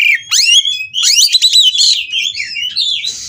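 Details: Kacer, or Oriental magpie-robin, kept at a breeder in Kroya, mating and singing to provoke rivals: a sharp upward-sweeping whistle, then a loud jumble of rapid trilled and slurred notes fading into softer warbling and a hiss.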